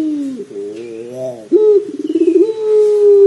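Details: Cooing from a puter pelung dove in a prompting recording: a soft wavering note, then a sharp rise into a rapid throbbing roll that settles into a long, even, low coo.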